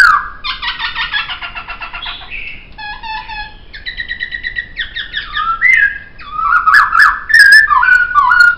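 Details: Laughingthrush song recorded as a songbird training track, a busy medley of harsh buzzy chatter, short repeated notes and clear whistles that grows louder and more excited toward the end.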